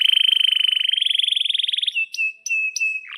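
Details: Atlantic canary in full, long song, used as a tutor for young canaries learning to sing and for birds that have stopped singing. A fast, even trill rises slightly, then gives way to sustained clear whistles broken by sharp high chips.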